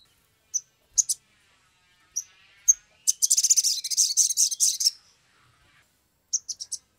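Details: Lure recording of a Sumatran leafbird to prompt other birds to sing; scattered sharp high chips lead into a dense, buzzy, very high chattering trill lasting almost two seconds, then a few closing clicks.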